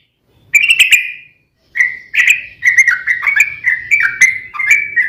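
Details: Sooty-headed bulbul, lure recording to make bulbuls sing, delivering warbled, bubbling whistled phrases that rise and fall, separated by short gaps, then flowing continuously.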